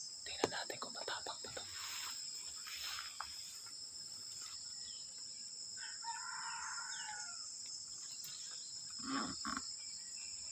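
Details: In very cold weather around 5:59, when it is already light, an escaped red junglefowl gives one harsh, multi-part crow midway, over a steady high insect drone, with rustling and a man's brief speech.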